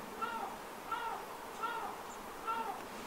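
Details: Wintering female common pochards at the Aiguamolls Natural Park in Spain, late January 2022: four low, grating, purring calls evenly spaced, each slightly arched, against a constant background hiss.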